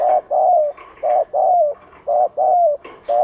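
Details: Vietnamese spotted dove calling as a lure to attract wild birds, giving a steady run of short-then-long coo pairs, the longer notes sliding slightly downward, about one note a second.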